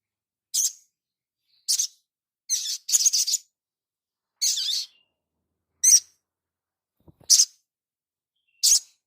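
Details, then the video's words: Crimson sunbird master recording for training cage birds: repeated sharp, very high chirped notes, some doubled into brief stuttering bursts, spaced about a second apart, with a faint low thud near the end. "Dasyatnya MASTERAN INI ‼️SOGON LANGSUNG NGLEPER ‼️"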